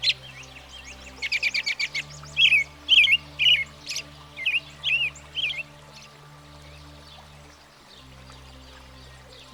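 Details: American Robin, a common U.S. backyard bird, in a rapid buzzy series of short repeated notes followed by several slurred whistled phrases about half a second apart, then fading to a low steady hum.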